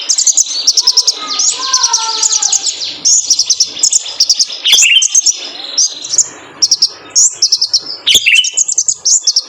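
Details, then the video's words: Male kolibri ninja sunbird, a training recording meant to get caged birds singing: rapid, very high thin twittering phrases and sharp chirps in quick bursts, with fainter lower whistled notes early on. "PANCINGAN KONIN JANTAN BIAR GACOR"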